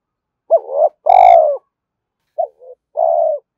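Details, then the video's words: Spotted dove cooing to lure a rival, mixing driving calls and calling coos; two-part coo phrases, a short rising note then a longer falling drawn-out coo, repeated twice with softer fragments between, on a silent background. "tiếng cu gáy kích bổi nhanh nổi hiệu quả, tiếng thúc và gáy gọi"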